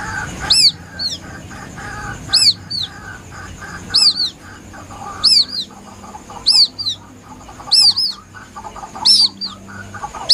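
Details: Plaintive lure call of a White-breasted waterhen chick: high, arching peeps mostly in close pairs, about seven bursts in ten seconds, over a low murmur and a faint steady high tone.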